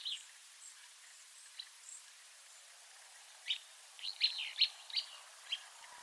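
Willow flycatcher giving short, sneezy, buzzy notes, faint at first, then a quick cluster of sharp, clipped phrases, over a soft outdoor hiss.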